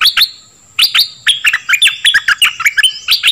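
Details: A Dok Taeng bird sings in a recording used to train young birds and get them excited; a quick tumbling sequence of sharp, bright chirps, densely packed after an opening pair, over a constant faint high tone.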